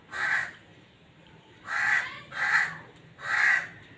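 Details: Black francolin (kala teetar) giving its breeding call: harsh, grating notes repeated in a loose series, one note, a pause of over a second, then three close notes, over a faint low background hum.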